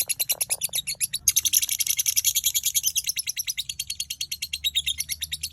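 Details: At dawn, a lovebird delivers konslet-style song: a brief pause, then a dense burst of high chirps settling into an even, rapid rattle of sharp notes several per second, with quiet low hum underneath.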